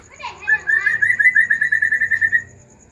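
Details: Agitated white-rumped shama song meant to prompt other shamas into singing: after a brief harsh note, a steady rapid trill of even, repeated whistled notes runs for about two seconds, then fades out.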